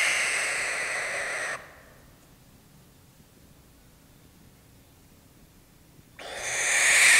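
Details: Sustained defensive hiss of a barn owl in two bursts: a rough, airy hiss fills the first second and a half, then near silence for about four and a half seconds, before a louder hiss surges back and builds to the end.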